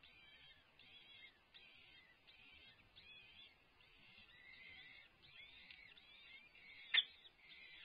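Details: As the male peregrine falcon brings dinner to the nest, harsh wailing chatter repeats nearly continuously over soft hiss, with one sharp click near the end.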